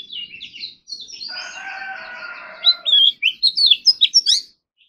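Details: Oriental magpie-robin's morning practice of its contest-style song, rich in mimicry. Soft high chattering is overlaid by a harsh, buzzy rasping passage lasting nearly two seconds. A rapid series of loud, sharp whistled notes follows, then the song ends abruptly.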